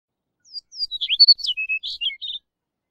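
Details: Chestnut-collared longspur song, a sweet rapid jingle: a few thin opening whistles, then a cascade of short slurred notes that drop and rise, ending in a buzzy trill.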